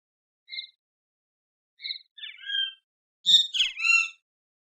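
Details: Great kiskadees (Pitangus sulphuratus) singing: two short, sharp high notes, then a loud tumble of harsh, ringing, falling calls over the last two seconds.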